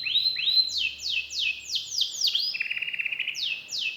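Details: Singing canary with special song phrasing: a steady whistle, then repeated sweeping falling notes, a lower buzzy pulsed roll, and more sweeps over a soft low hum.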